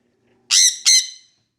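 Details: Sun conure giving two loud, harsh, grating screams in quick succession, each sharp-edged and trailing off, in an otherwise quiet setting.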